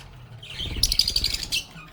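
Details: A lovebird giving a brief rising squeaky trill that turns into a rapid buzzy chatter, with a faint low murmur beneath.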